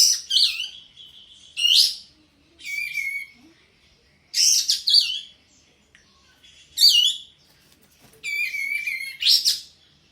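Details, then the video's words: Singing sooty-headed bulbul, in breeding condition with its tail fanned. Six or so short liquid phrases, each a rising or falling whistle ending in a steady note, come roughly every one to two seconds over a silent background. "full kapas tembak gacor buka ekor birahi"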